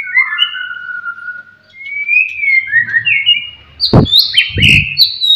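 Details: White-rumped shama singing sharp material to provoke rivals: long gliding whistles sliding between low and high, then harsh high bursts near the end with low thuds.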